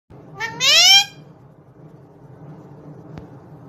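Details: Pet Indian ringneck parakeet (talking parrot Mithu) says a quick, high, two-syllable "mummy" with a rising nasal tone; quiet room noise follows, with a single soft click; rose-ringed parakeet.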